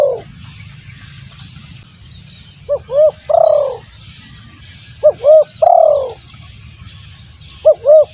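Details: Lure call of a spotted dove for drawing in wild doves: a mellow three-part phrase of two quick coos and a longer sliding coo, repeated three times about every two and a half seconds over a faint low rumble.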